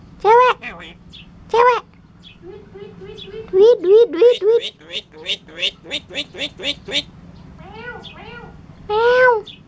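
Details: Talking starling from Curup, mimicking speech and animal sounds: two drawn-out harmonic calls, then a fast run of about a dozen short stacked notes, ending with another long arched call.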